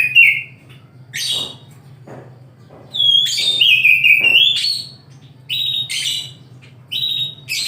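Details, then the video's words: Oriental magpie-robin singing in the morning: bright whistled phrases, some slurred downward and some steady, delivered in short bursts separated by brief pauses, with a low steady hum underneath. "KICAU KACER DI PAGI HARI"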